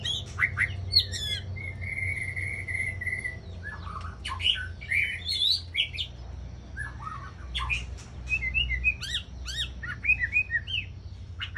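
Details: Aceh white-rumped shama lure song, richly varied: a long even buzzy note, then bursts of squeaky, sharply sweeping whistles and chattering phrases with short pauses, steady low background rumble.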